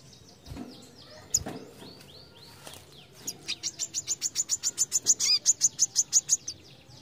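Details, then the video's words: Brown-throated sunbird singing in the besetan style: after faint scattered chirps, a fast, even series of about seventeen sharp, high, ticking notes runs for roughly three seconds, ending abruptly. "BESETAN MEMUKAU KOLIBRI KELAPA"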